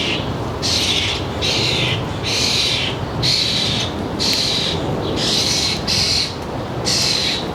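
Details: Birds visiting a northern New Jersey backyard feeder in early July, around 4 p.m., with fledged young present: raspy, drawn-out calls repeated about every 0.7 seconds, eight in a row, over faint low rumble.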